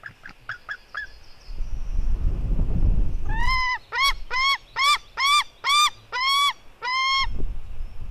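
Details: White-tailed eagle eaglets at 16:09, a female fighting her brother. Short yelps, then a burst of low rustling scuffle noise, followed by a rapid run of about eight clipped, down-slurred squealing notes, roughly two per second, ending in a longer cry.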